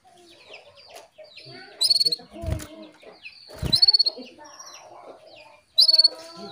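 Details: Atlantic canary hen calling the male to stimulate his song: three brief bursts of rapid high pulsed notes, roughly two seconds apart, amid soft chirping and two dull low thumps.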